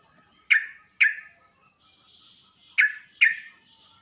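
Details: Sooty-headed bulbul voice played as a tutor to prompt other bulbuls to reply: two pairs of sharp, explosive downslurred notes, each pair about half a second apart, separated by a soft buzzy murmur.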